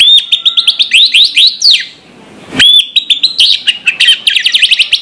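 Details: Morning song of an orange-headed thrush: a fast string of high, sharp repeated notes, a brief break with a soft rushing sound, then the rapid run resumes with mixed higher notes.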